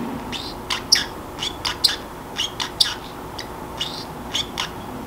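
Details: Sleepy house Pacific parrotlet talking to itself: quick bursts of raspy, clicking syllables interspersed with thin high whistled notes, irregularly spaced about once a second, against faint constant background hum.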